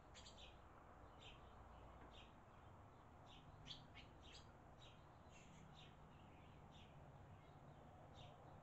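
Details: Young barn swallows at the nest in Las Cruces as parents feed them, captured with a Campark TC04: quiet, high twittering chirps, single and in quick clusters, scattered irregularly across the recording above a constant low rumble.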